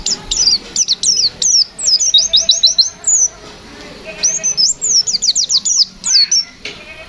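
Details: Loud, continuous white-eye fighter song: bursts of sharp high whistles, a run of rising repeated notes, a short pause, then another quick series of bright whistled notes and downslurs.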